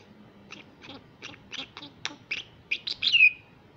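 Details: Young hand-raised female common myna in Israel, an invasive wild bird, practising Hebrew words: a run of about ten soft, clipped syllables quickening and growing louder, closing in a high, drawn-out whistled note.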